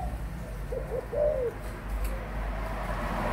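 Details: Adult spotted dove with a single brief phrase of two short notes and a drawn-out coo, then only faint background noise.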